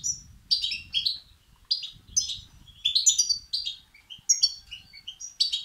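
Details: European goldfinch young begging, used to stimulate males; high tinkling twitters in bursts roughly every second, some notes sliding downward, with soft low noise beneath.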